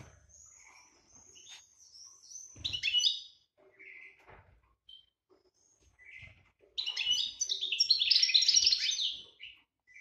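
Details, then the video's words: European goldfinch in breeding condition, 2018 season: a short tinkling burst near three seconds, then a dense, liquid twittering phrase of rapid high notes lasting about two and a half seconds, with thin whistles between. "Chardonneret GB chaleur saison 2018"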